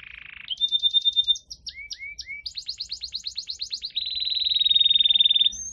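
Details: A Spanish canary sings in fast, varied phrases: a buzzy opening, quick repeated chips, a few falling whistles, then a long rapid trill held for about two seconds.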